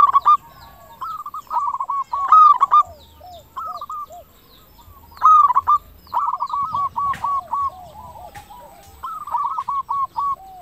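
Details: Local zebra dove singing as a lure to make other doves answer; repeated phrases of bright rolling coos followed by trailing softer hooked notes, recurring every three to four seconds, fairly quiet background.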